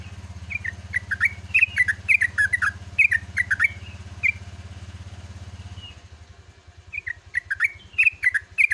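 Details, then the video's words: Dawn 'ropel' song of a yellow-vented bulbul: bursts of bubbly, slurred chirps tumble up and down. A steady low engine-like drone runs under the first six seconds, then the song resumes after a brief thin whistle. "TRUCUKAN GACOR ROPEL"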